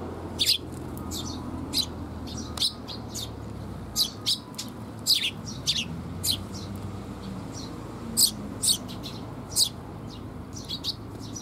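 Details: Eurasian tree sparrow parents feeding their fledged young, recorded 6 May 2021. A lively stream of sharp, high-pitched chirps repeats every second or so, with some in quick doublets, over faint background hum.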